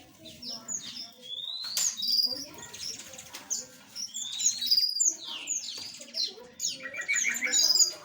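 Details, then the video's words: Many small birds in an aviary, with a busy chorus of thin, sharp chirps and quick downslurred whistles that overlap at high pitch and come in uneven bursts. "Suara Burung Asli - Jenis Burung Aviary Kecil"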